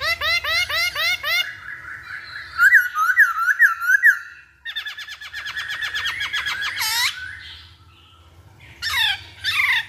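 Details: Masked laughingthrush singing as a lure for other birds: rapid repeated rising notes, a wavering whistled trill, a busy chattering stretch, then harsh squealing bursts near the end.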